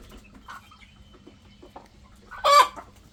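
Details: Chicken giving a few soft scattered clucks, then a sudden loud, harsh squawk near the end, with a faint thin whine and low background hum.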